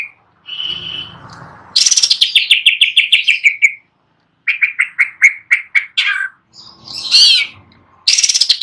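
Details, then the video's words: A greater green leafbird sings while perched: a bright, high run of about six notes per second that slides downward, then varied chirps and a brief harsh squeal. "Cucak Ijo Gacor Nagen (nyawan di tangkringan)"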